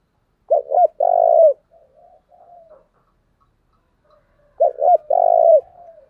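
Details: A decoy spotted dove calls to stir up wild birds. Twice it gives low, husky phrases of two short notes and a long vibrating coo, spaced about four seconds apart, with quiet murmured coos between.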